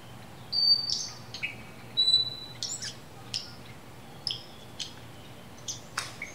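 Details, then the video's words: A Coleto (Sarcops calvus) gives sharp, squeaky high notes and short clear whistles at an irregular pace, some in quick pairs, over a faint steady hiss. "Call of the Coleto"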